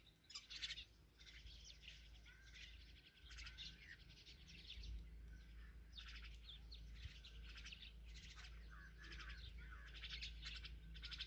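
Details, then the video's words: Hungry myna young being fed keep up continuous harsh, buzzy chirping in repeated bursts over a constant low background hum. "Myna Feedings Her Chicks"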